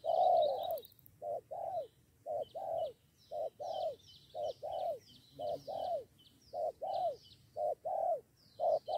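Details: Lured spotted doves, one calling a companion to take on the decoy bird. Soft, rounded coos in doubled phrases follow in quick succession, with thin twittering from other birds above them.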